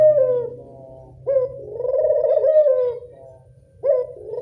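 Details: Barbary dove of the local type, used to lure other doves. The tail of one falling coo is followed by a short abrupt note and a long, throbbing, rolling coo. A third call starts near the end, over a low background hum.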